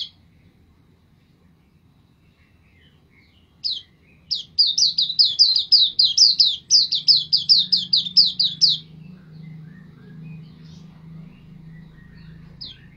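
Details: White-eye, kept for songbird training, bursting into a rapid string of about twenty high, thin, falling chirps lasting some five seconds, then falling almost silent apart from a stray note and a low background hum.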